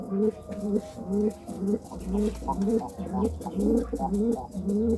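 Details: Pigeon cooing in courtship: a regular series of brief, mellow double-toned coos, roughly two each second, with a low rumble underneath.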